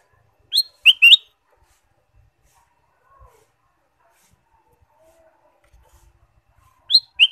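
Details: Ruby-throated bulbul song for stimulating caged birds: a sharp three-note whistled phrase near the start, a long quiet gap with faint clicks, then the same rising-then-dropping phrase again at the end.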